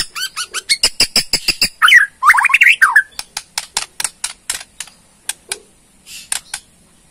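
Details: White-rumped shama of the Borneo type giving its ketrekan, a rattling call meant to provoke a response, opening with a fast run of harmonic clicking notes, then rich slurred warbles and a spaced series of sharp ticks.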